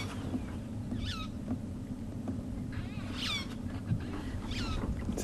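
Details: A Magpie (Long-tailed) Shrike sitting on its nest in a buffalo thorn, possibly on eggs, on a December sunset safari, gives three brief, harsh, downslurred calls about a second apart over a steady low engine or wind rumble.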